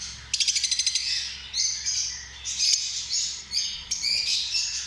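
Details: Lovebird calls opening with a fast stuttering burst of about ten pulses, followed by shrill squeaky chirps and buzzy rising squeals in separate phrases over a soft low hum.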